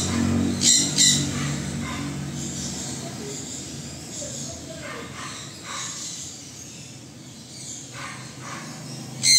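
A sun conure gives two harsh, piercing shrieks close together, then one more after a long pause, over a low indoor hum.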